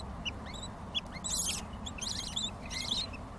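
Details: Hungry lovebird chicks calling: scattered thin chirps mixed with a few louder raspy bursts of begging, irregularly spaced, with a faint low hum beneath.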